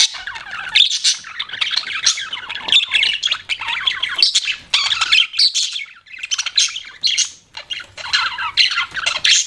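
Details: Chattering pet budgerigars pour out bursts of raspy warbling and high chirps, broken by a few short pauses, around six and eight seconds.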